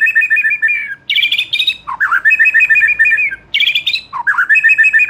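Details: Continuous White-rumped shama song meant to rouse a young, newly moulted wild-caught bird: fast rattling trilled phrases alternating with higher whistled bursts and low swooping notes, loud and unbroken.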